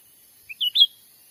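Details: Lure call of cucak ranting for trapping wild birds, Sumatra forest: a quick three-part whistled phrase, a short low note then two louder clear notes, the last one bending upward; faint steady hiss.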